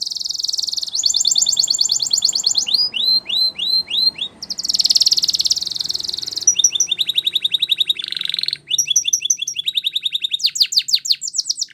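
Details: Long varied song from a champion Spanish Timbrado canary: bright rolled trills, series of downward whistled sweeps, metallic rattles and a short low tour, changing every few seconds with hardly any pause.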